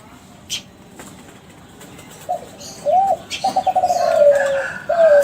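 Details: Young captive-bred Kelantan spotted dove from a contest-champion line, its song used as a lure to make other doves answer: after quiet, low hooting coos, then a fast stuttering trill that slides downward, then a final coo, with faint chirps from other birds.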